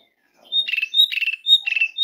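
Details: Asian pied starling call meant to lure and stimulate other birds into singing: a bright whistle followed by a harsh, buzzy rattle, repeated three times in quick succession, with a faint low rustle near the start.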